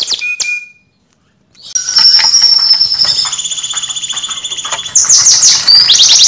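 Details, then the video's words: Canary song from a training recording: a few sharp chips, a brief silence, then long sustained high trills and rolls with fast pulsing, closing with rapid rising notes. "KANARYA SESİ EĞİTİM ÖTÜŞÜ CANARY VOICE!!!"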